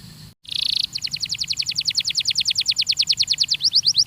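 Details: Belgian canary song for training: a brief buzzy burst after a short break, then a long evenly paced trill of repeated double-toned notes, quickening near the end.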